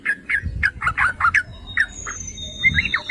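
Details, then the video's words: Yellow-vented bulbul provocation song, a quick series of separate liquid chirping notes, then a short pause with a thin high whistle before a few more bubbly notes. "Pancingan dan Masteran Trucukan"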